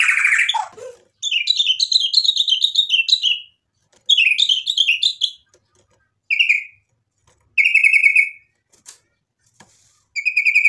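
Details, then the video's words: White-rumped shama song rich in mimicry; a loud whistle sliding downward, rapid high trilled series, then short repeated whistled notes spaced by pauses. "MURAI BATU GACOR bikin EMOSI jadi NYAUT BUNYI BONGKAR MATERI ISIAN | murai full isian"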